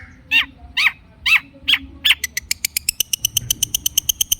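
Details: Long-tailed shrike lure song meant to coax a stressed, silent shrike into answering: five harsh, downslurred rasping notes, then a fast, even series of sharp ticking clicks that speeds up toward the end.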